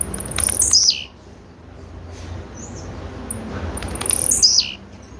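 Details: Female blue-black grassquit giving two sharp, high descending calls, each a quick buzzy slur dropping in pitch, separated by about three and a half seconds of low background hum.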